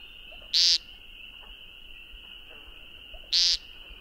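Eurasian woodcock gives two sharp, high, squeaky calls about three seconds apart, over a steady thin high whine, likely an insect.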